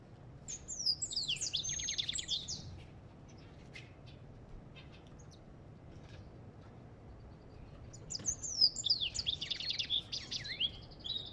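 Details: African goldfinch singing in two bursts of rapid, high twittering and buzzy warbled phrases with quick up-and-down slurred notes, separated by several seconds of quiet with low background hum.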